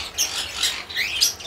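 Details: Cockatiels in a breeding farm setup, recorded 20 April 2024: several birds call at once, with short, shrill, rising chirps and whistled notes overlapping in a busy flock chorus.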